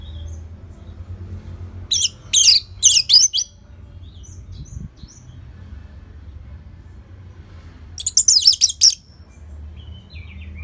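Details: Orange-headed thrush in slow, lively song, played to coax other birds into singing. Two clusters of sharp, high chattering notes come about six seconds apart, with quiet gaps between.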